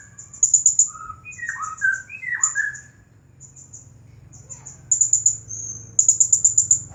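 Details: Blue-crowned hanging parrot, a champion bird, singing nonstop in the style called "nagih hutang" (debt collecting): rapid bursts of very high, sharp ticking notes, mixed with a few lower, slurred, falling whistles, over a steady low hum.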